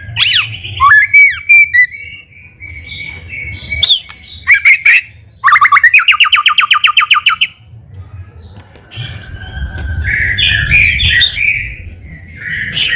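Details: White-rumped shama in full song as a response lure: varied whistled phrases and sweeps, a fast two-second trill of stacked clipped notes in the middle, then softer warbling over a background hiss.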